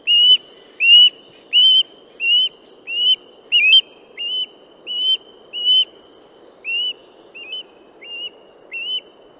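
Western osprey giving a steady series of short, sharp, upslurred whistles, about one and a half per second, over a faint low background rumble.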